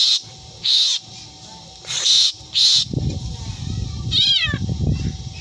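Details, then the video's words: Black drongo, said to imitate a cat's meow: four harsh, rasping screeches in two pairs, then a brief arched mewing note over a low rumbling background. "Burung Sri Gunting Yang Doyan Ngomong Meong Dan Teriakan Anehnya"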